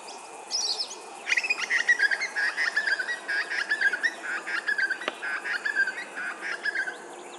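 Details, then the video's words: Sacred kingfisher at Hervey Bay, Queensland. It gives a rapid run of harsh, clipped notes, about three per second, for roughly six seconds. A faint hiss sits behind it. "Sacred Kingfisher, Hervey Bay Qld"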